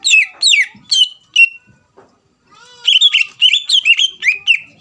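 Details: Greater green leafbird, caged, singing to provoke a rival: a few descending whistled slurs, a short pause with soft rustling, then a dense run of rapid bright whistles.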